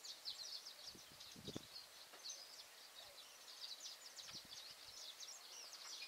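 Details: A saffron finch (Sicalis flaveola), a young bird learning to sing in a tree on the banks of Várzea das Flores, Betim, Brazil, gives a steady run of high, buzzy chips and short trills, with a few low thumps.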